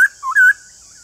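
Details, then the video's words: Caged white-cheeked laughingthrush giving a brief whistled phrase: a sharp high note, a lower slurred whistle, then a sustained bright rising-and-falling whistle, followed by quiet. "Nếu khướu bạc má nhà bạn đang bị yếu lửa không hót thì mở video này lên kích bổi vô cùng hiệu quả"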